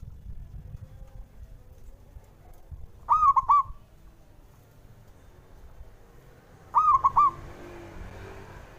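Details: Male zebra dove singing to provoke rivals: two rolling, hollow cooing phrases about three and a half seconds apart, each a note with quick trilled bursts, over soft rumbling background noise.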